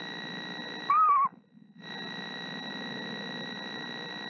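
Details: Female screech owl brooding eggs that may hatch soon sings a single short tremulous whinny that drops slightly in pitch, then a steady buzzing hum with faint hiss continues.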